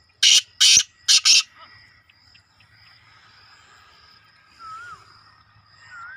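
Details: Young black francolin calling with four loud, harsh, grating notes in rapid series, the last two run close together, followed by a thin high hum and faint slurred whistles from other birds.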